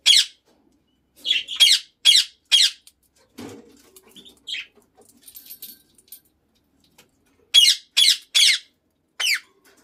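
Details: Lutino Indian ringneck parakeet: loud, harsh screeches given in bursts of three or four, each short and raspy, with a quiet stretch of soft chatter and low rustling in between.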